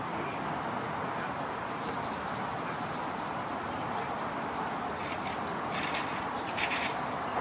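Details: Eurasian blue tits on a walk at La Guardia, Toledo, Spain, 1 August 2020: a quick run of about seven very high, thin notes, then faint scratchy chatter over steady hiss.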